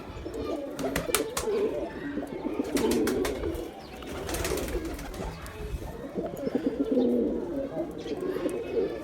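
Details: Male pigeon cooing, a sound meant to attract pigeons, low rolling phrases mixed with sharp clicks and claps in the first half and a steady murmur of coos later.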